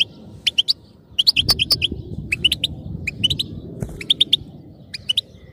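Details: Sparse European goldfinch 'batbata' chatter, used to keep a goldfinch singing: scattered sharp tweets in small groups of two to four, separated by gaps, over constant low hum.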